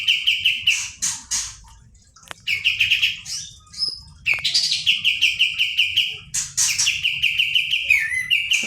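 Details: Kept Pied Triller (kapas tembak) singing in rolling bursts: fast trains of sharp repeated notes with buzzy scratchy openings, a few pauses and clicks between phrases.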